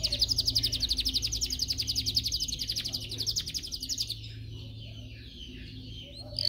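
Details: Canary song for training canaries to sing: a long, fast, even trill of buzzy pulses lasting about four seconds. Fainter warbling and a steady low hum follow.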